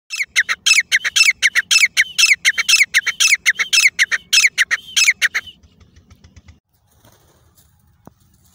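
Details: Grey francolin from Layyah giving a loud, rapid, harsh repeated call of grating notes for about five seconds, roughly two per second, then stopping, followed by quiet low noise and a faint click.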